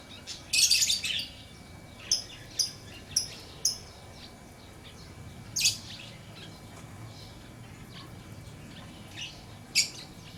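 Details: Lovebird chirping: a burst of shrill, high, harsh chirps near the start, then single sharp chirps spaced about half a second to a second apart, with a final pair late on, over a low steady background hum.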